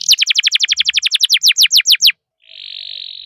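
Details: Canary singing a fast, regular trill of downslurred notes, about four per second for two seconds, followed after a short pause by a steady buzzy rattle.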